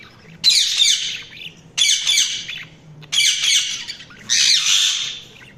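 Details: Budgerigars calling in four loud, harsh, noisy squawking bursts roughly every one and a half seconds, each a rasping chattering phrase with brief pauses between.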